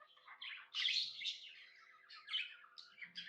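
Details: Happy budgie chirping in a room: rapid, buzzy chatter with loud grating squawky notes and quick rising-falling chirps, with faint low thumps in the background.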